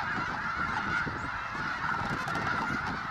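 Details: Snow geese by the tens of thousands take off in alarm from a refuge field, flying low; constant overlapping honking forms a dense chorus, with low rushing wingbeats throughout.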